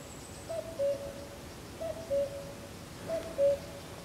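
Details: Common cuckoo heard but unseen near the San Antolín pond in Zamudio, Goikomendi, on 7 May 2020, singing three clear two-note cu-coo phrases, the second note lower, spaced about 1.3 seconds apart over quiet background.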